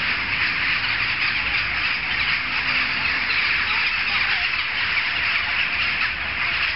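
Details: Jackdaws gathered in a big noisy group, audible from several streets off, give a continuous wall of sharp, squawking calls layered thickly over one another.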